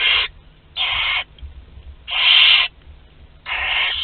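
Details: Hoarse hissed screeches from barn owl chicks aged two to twelve days at a group meal, Théding, France, 29 April 2021, four loud bursts in four seconds, the third longest, over faint hum.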